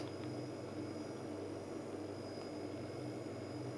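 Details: A steady low mechanical hum with faint high tonal whine throughout, and no animal calls.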